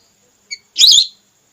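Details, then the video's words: Female whistling duck lure call for hunting red or plain whistling ducks: a short high pip followed by one slightly harsh, buzzy, wavering whistled note lasting about a third of a second. "Suara pikat burung belibis merah terbaru/suara betina 100%ampuh belibis auto turun"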